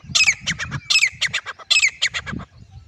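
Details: Teetar, the grey francolin, calling in short triple-note phrases of harsh, squeaky squawks, each group repeated about every 0.8 seconds over a low rumbling background.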